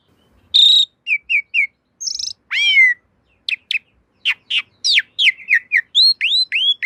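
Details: Javan pied starling master song for caged birds: varied phrase of a loud held note, short triple chirps, a harsh burst, a swooping whistle, then scattered sharp clicks and rising whistled notes.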